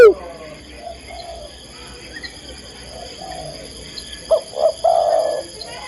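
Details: Spotted dove female calling to a male, heard as a quiet low coo phrase near the end: two short rising notes and then one longer, slightly wavering coo over faint background hiss.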